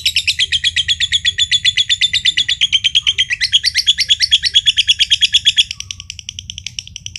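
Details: Green josan lovebird, a champion contest bird from Mojokerto, pouring out an extended ngekek trill, rapid rasping pulses kept up for over five seconds before fading into quieter chatter.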